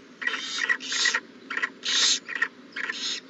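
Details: Owl at the nest with a newly hatched owlet, April 20, 2019; six rough, hissing bursts of uneven length in about three seconds, each raspy and breathy, over a low steady hum.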